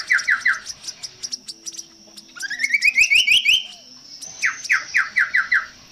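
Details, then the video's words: Chestnut-capped babbler (Timalia pileata) in a long song variation: bright, quick phrases of short slurred notes, then a rising run of sharp chips, then another rapid series of downslurred notes. A steady high hiss runs underneath. "Chestnut-capped BabblerTimalia pileata variasi durasi panjang"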